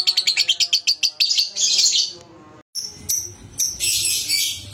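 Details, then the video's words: Lure sounds of young lovebirds: a quick run of shrill, evenly spaced chirps, about ten a second, merges into dense buzzy chattering, then breaks off abruptly and resumes as harsh, continuous twittering. "PANCINGAN SUARA LOVEBIRD PAUD"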